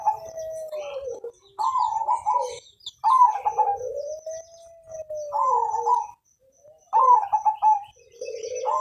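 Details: Perkutut of Mojopahit colouring, a lively long singer kept to prompt other birds to sing, repeats soft mellow coos: bubbly clustered notes alternating with smooth drawn-out humming tones, phrases every two to three seconds, indoors.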